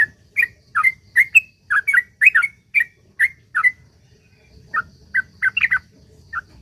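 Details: Sooty-headed bulbul in lively, long rattling 'ropel panjang' singing, used as a lure to prompt other bulbuls to sing. Bright chirped notes in quick bursts, then a pause and sparser notes, with light rustling in the background.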